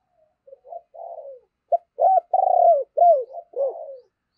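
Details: Spotted dove singing as a decoy to stir up other doves: soft introductory notes lead into loud arched coos and a long pulsing coo, then falling notes, all delivered in one continuous low, throaty phrase.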